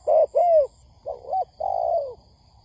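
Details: Spotted dove lure call for trapping: a short coo and a longer slurred coo, then a quieter wavering coo and a drawn-out falling coo, with faint high ticks.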